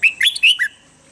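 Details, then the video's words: Red-whiskered bulbul singing a standard training phrase for caged birds in the morning: one quick rolling run of four or five loud, liquid whistled notes, rising and falling, ending abruptly. "Luyện giọng chào mào âm chuẩn mỗi sáng giúp chim nhanh căng lửa"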